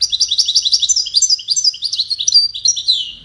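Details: Widani-style European goldfinch song used to tutor young chicks, a continuous rapid stream of bright, liquid twittering notes with quick downward slurs, steady and loud throughout.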